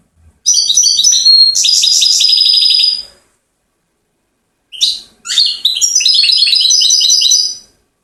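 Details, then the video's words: European goldfinch song from Settat, Morocco, in the trill-series style: a long phrase of chattering notes and rapid rattling trills, a pause, a short chirp, then another lively twittering run. "اعظم ما انتجت الطبيعة في التغريد جدر محسن من سطات ملك السلاسيات"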